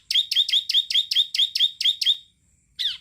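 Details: Bar-winged prinia delivering a rapid sequence of about nine loud, sharp, high chirped notes, followed by a short pause and a single downward-sliding note.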